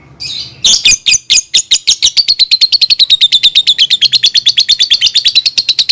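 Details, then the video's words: Lovebird song used to train young birds to sing: an initial squawk, then a long fast chattering run of high, harsh, evenly repeated chirps, about two per second quickening to several per second, steady throughout. "SUARA BURUNG Love Bird COCOK BUAT PANCINGAN PAUD"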